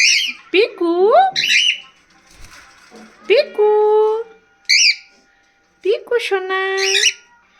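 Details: A happy pet bird gives loud, harsh squawks with rising, buzzy notes in three bursts, calling a lot, while a woman repeatedly coaxes it in a soft voice.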